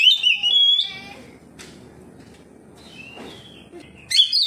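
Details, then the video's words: Oriental magpie-robin in ngeplong song, replying to another magpie-robin: a loud rich whistled phrase at the start, a long quiet stretch with faint distant notes, then a fresh bright burst at the end. "KACER NGEPLONG KACER LAIN LANGSUNG RESPON NGEPLONG BONGKAR ISIAN"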